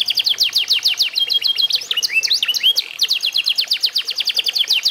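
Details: Caged F1 canary, eight months old, singing a rapid trilled song of repeated sharp downward-sweeping notes, shifting partway into sliding whistled phrases, then back to fast trills, over faint background hiss.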